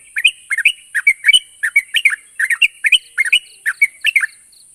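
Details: Song of a yellow-vented bulbul played to stir silent birds into calling back: lively, bubbling chirped phrases repeated in fast succession, steady high background hiss.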